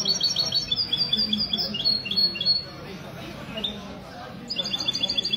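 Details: Caged mesto (goldfinch hybrid) singing at a Sunday-morning gathering of a goldfinch association in a café, Ksar El Kebir, 16 February 2020; fast high trilled phrases, a pause, then more trills, with café chatter underneath.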